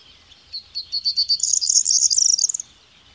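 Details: Corn bunting song: a few spaced ticking notes quickly speed up into a dense, high, jangling rattle lasting about a second, then stop abruptly; faint low rumble underneath.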